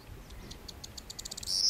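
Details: Corn bunting in April 2011 at Fuente de Piedra, Spain: a high series of dry ticking notes that speed up steadily over about a second and a half, ending in a brief buzzy, jangling trill.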